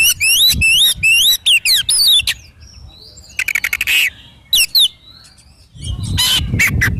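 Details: Energetic Oriental magpie-robin song for training young birds, morning and evening: a rapid string of looping whistled phrases, a rattling buzzy trill, a few sharp notes, then harsh scratchy calls over low background rumble.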